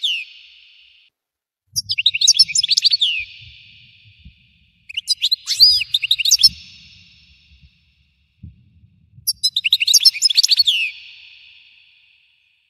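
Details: Goldfinch delivering three bursts of rapid, bright twittering song, crowded with high metallic chirps and sliding notes and separated by brief pauses, described as its explosive singing; faint low thumps sit underneath.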